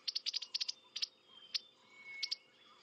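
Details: African firefinch call at Djuma, Kruger area, South Africa, on a sunrise drive on 18 April 2016: short sharp clicks, a quick burst of about eight then spaced single clicks; the steady background whistle is not the firefinch.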